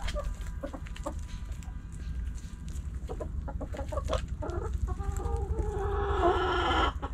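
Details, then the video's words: Backyard hens clucking and a rooster crowing; irregular short clucks and scratching clicks, ending in a loud drawn-out crow. "Backyard Chickens Hens And Roosters Pecking Scratching Sounds Noises Hens Clucking Roosters Crowing!"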